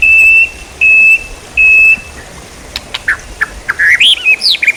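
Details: Songbird training material: three pure, level whistles spaced about a second apart, followed by quick scattered chirps and twisting high notes.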